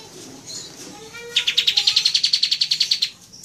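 A pied triller gives a fast, even trill of about sixteen high, bright notes over a second and a half, after a few softer, lower whistled notes.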